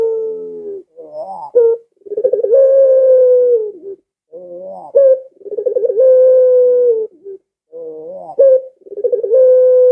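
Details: Barbary dove cooing, a call said to lure pet doves at home into calling along: low rolling purred trills, each leading into a long, steady, slightly falling coo, phrases repeated about every three seconds with no other sounds.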